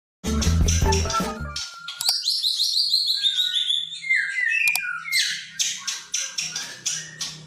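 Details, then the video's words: A white-rumped shama sings a run of high whistled notes sliding steadily downward, then rapid bright chirps, after a brief low thumping noise; a recording meant to provoke quiet shamas into singing. "Suara kicauan burung murai batu ampuh pancing murai banyak bengong DIAM JADI NYAUT DAN EMOSI TINGGI"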